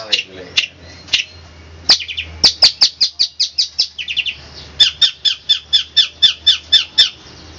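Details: Long-tailed shrike song used as a training master, tembakan kristal style: sharp high notes speeding into a steady series of even, ringing chips over a low hum.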